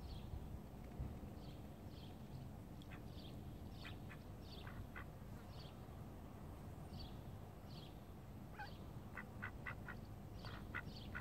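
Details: Quacking from a group of call ducks with Indian runner and mallard ducks: many brief nasal quacks scattered throughout, growing into a rapid run of repeated calls near the end, set against constant low-pitched background noise.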